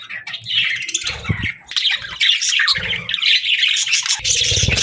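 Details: Morning budgerigar chatter with busy, buzzy chirps and squawky warbles running almost continuously, broken by several short low thumping bursts.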